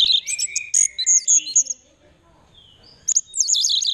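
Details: Caged orange-headed thrush from Mojokerto, Indonesia, singing in the display style locally called teler, described as courtship behaviour; bright high whistled warbling phrases, a pause, then a fast rolling trilled phrase.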